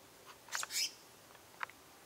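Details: Black-naped monarch at Chiang Mai on 10 March 2016, giving a quick cluster of harsh, rasping high notes, then one short sharp note a second later, over a quiet background.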